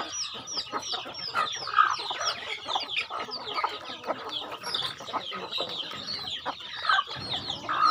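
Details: Farm chickens at feeding time, many birds peeping at once in a steady stream of short falling chirps, mixed with a few louder, fuller clucks.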